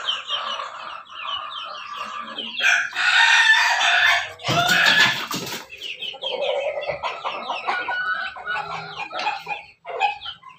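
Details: In a backyard, a chicken crossbred from Pelung, Bangkok and Ketawa lines crows loudly in long harsh bursts at mid-clip. Rapid choppy clucking notes come before and after the crow.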